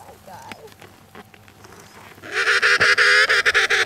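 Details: Emperor penguins on Antarctic sea ice between Cape Evans and Cape Royds; after soft wavering sounds and quiet murmur, a loud, harsh, buzzy trumpeting call bursts out and pulses rapidly for nearly two seconds.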